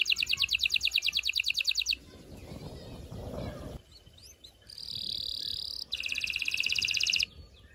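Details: Canary song said to prepare females and stimulate males for mating: a fast, bright pulsed trill, a brief break with soft background rustling, then a steady high buzzy note and another rapid trill.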